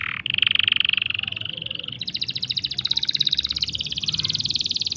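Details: Canary long roll for teaching or stirring young and silent canaries: a sustained buzzy trill shifting into a faster, higher rattling series of tight repeated pulses.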